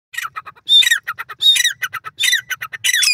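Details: A francolin in a green field gives harsh, grating squawks in quick ragged bursts, about five loud phrases in three seconds, with short clicking notes between them.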